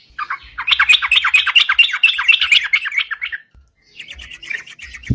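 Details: Sooty-headed bulbul gacor song, used to lure birds: a dense, slightly harsh chatter of quick notes for about three seconds, a pause, then a quieter follow-up burst.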